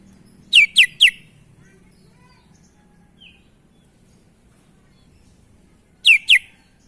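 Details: Sooty-headed bulbul, vocal with unusual sounds: three sharp high chirps in quick succession, a long quiet gap with one faint note, then two more sharp chirps, over a low background hum.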